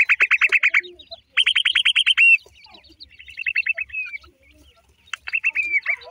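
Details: Black francolin chicks repeat clipped, downward-sliding peeps in quick bursts, some lower and softer, with brief pauses and overlapping higher cheeps between runs.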